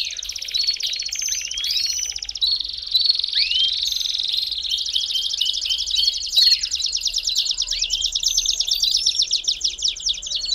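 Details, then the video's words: Extended Belgian canary song: a long, almost continuous, very rapid trill with loud swooping whistles mixed in, and a brief sharp click midway. Used to stimulate a canary to sing. "CANTO PARA ESQUENTAR CANÁRIO BELGA"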